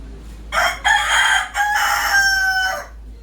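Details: Desi (local) rooster crowing in the morning: one loud, harmonic-rich crow about two seconds long, broken into several rising and falling segments and ending in a drawn-out tone, over a quiet background.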